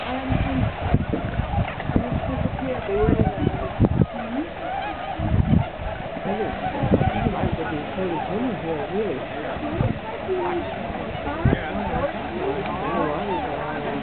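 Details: A large gathering of tundra swans pausing on their annual migration at Aylmer Wildlife Management Area, 15 March 2009, produces a dense chorus of honking, bugling calls, many voices overlapping, with low rumbling bursts in the background.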